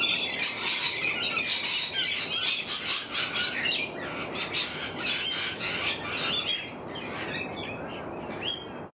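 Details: In the morning, lorikeets keep up a dense, harsh chorus of high screeches and shrill squawks, many birds calling at once with no break.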